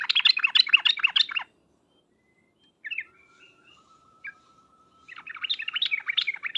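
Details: Sooty-headed bulbul call played to make birds answer, 'ngriwek uplik uplik' style: a dense warbling chatter, a silent gap with soft thin whistles and a single chip, then the busy chattering resumes.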